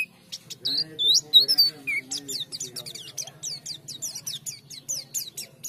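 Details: Rapid high twittering of an Oriental white-eye, sung to get other white-eyes to answer. Sharp downslurred chirps come several per second, with a low steady hum and some softer lower sounds underneath.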